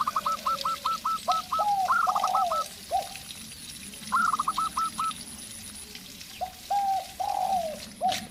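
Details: Zebra dove (perkutut lokal) matched with a decoy spotted dove: a long run of evenly spaced short coos, then rising notes with staccato tails, over lower, longer spotted dove coos.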